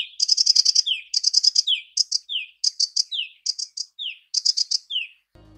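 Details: Male sedge warbler song, sung to attract a mate on its breeding territory: fast, chattering bursts of high buzzy notes, each ending in a slurred downward whistle, repeated about every 0.7 seconds.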